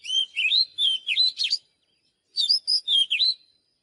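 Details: Song of an Oriental magpie-robin, played to train singing: two lively bursts of rapid, varied warbled whistles with quick pitch jumps, separated by a short silence.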